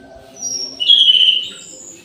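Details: Short bright whistled phrase from an orange-headed thrush kept in an aviary, singing at midday, with thin high notes above and a low background hum.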